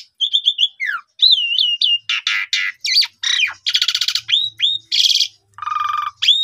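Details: Asian pied starling song used as a lure to boost a caged bird's spirit and make it sing its full repertoire; varied loud phrases of whistled slurs, falling notes and harsh buzzy rasps alternating in quick succession.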